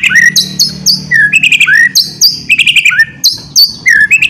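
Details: Ngeriwik-style song of a white-rumped shama, used as a lure recording: loud, varied phrases of sharp high whistles and downslurred notes in bursts, with brief gaps between phrases.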